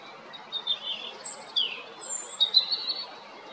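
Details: European robin recorded on 13 April 2022 at Jarun in Zagreb, Croatia: thin, high warbled phrases with short sliding whistles and trills, given in brief separated bursts over quiet background noise.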